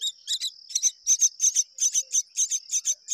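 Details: A myna pair raising babies; loud scratchy rasps in quick uneven series, roughly three per second, with a constant shrill insect-like tone running underneath.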